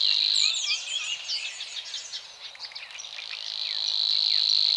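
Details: Savi's warbler from Czech Republic lakeside reeds, territory-marking song: a high cricket-like buzz fading under a busy tangle of other birds' quick chirps and twitters, then returning strong and steady for the last seconds.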